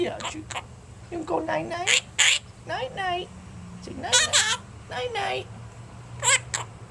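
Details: Indoor recording from April 30, 2010 of a talking eleven-month-old Quaker parrot kept as a pet, delivering strident, trilling, speech-like phrases and clipped squawks in irregular bursts, captured on a Flip camcorder with a woman speaking.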